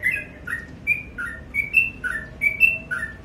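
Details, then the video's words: Sooty-headed bulbul singing in the morning: clear whistled two-note phrases, one note slightly higher than the other, repeated roughly every second over a steady low hum. "BURUNG TRUCUK GACOR DI PAGI HARI"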